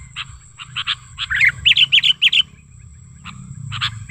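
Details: Sooty-headed bulbul lure call, described as a natural wild recording: scattered short chirps, then a quick run of five bright bubbly warbled notes, a pause, and a few more chirps; a steady high whine runs throughout.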